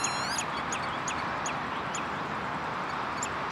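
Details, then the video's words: Common redshank filmed on 11 June 2013 at De Wollebrand water storage area, Naaldwijk, Westland, Netherlands; high, sharp calls, the first a quick descending run of piping notes, then single short notes scattered over steady broadband wind-like noise. "Redshank (Tringa totanus)"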